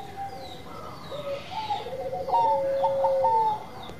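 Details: Zebra dove of the Bangkok type singing actively; quavering coos build into a bright sustained note and a long, steady, lower tone that slides down at the finish.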